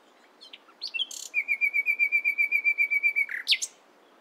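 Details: Nightingale at dawn-time song: a few quick chirps, then a long crescendo of evenly repeated pure piping whistles on one pitch, ending in sharp rising notes.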